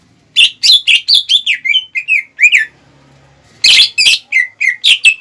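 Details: Greater green leafbird song used to provoke rivals, young or untrained. Loud, varied chips and slurred whistles. A brief quiet pause, then an abrupt harsh burst followed by more ringing notes.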